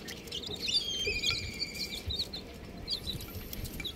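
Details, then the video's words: Buff chicks giving short, high, thin peeps and a few longer piping notes, busiest in the first two seconds and thinning out afterwards, with a low steady hum throughout. "Amazing Little Chick Chirping Sounds"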